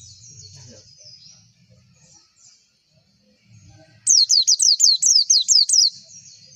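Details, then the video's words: Quiet low background rustle for four seconds, then a white-eye lure song bursts in: about eight quick, piercing, downward-slurred notes in a row before stopping. "PANCINGAN PLECI AGAR CEPET BUKA PARUH"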